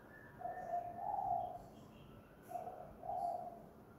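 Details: A decoy spotted dove at home delivers 'kuk gantung' cooing: two phrases, each a short low hoot and a longer rounded coo, over a steady background hiss.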